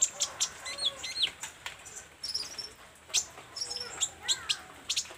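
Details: Olive-backed sunbird singing vigorously: rapid sharp, high chips and short twittering notes in quick irregular bursts, with a few lower slurred whistles mixed in.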